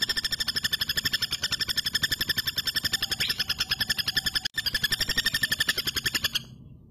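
A female common flameback gives a long, dry, metallic rattle of even notes, about nine per second, with one brief break midway.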